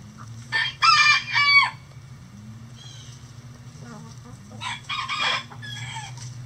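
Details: Backyard chickens in their daily routine let out two bursts of loud, rasping, harmonic squawks, one early and one later, separated by quieter clucks. A low hum continues throughout.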